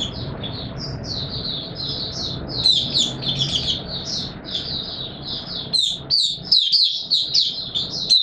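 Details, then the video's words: White-eye singing on 20 March 2022 in warm humid conditions: a continuous run of high, lively chirps and twitters that grow louder and more broken into phrases toward the end, over low background hum. "Mata Puteh Raja Video 1 buka sing"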